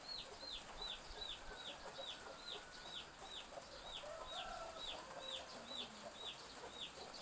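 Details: Chicks calling behind a village house on a drizzly morning, a rapid, even series of high, falling peeps, roughly two or three per second, over steady rain hiss with faint lower bird notes.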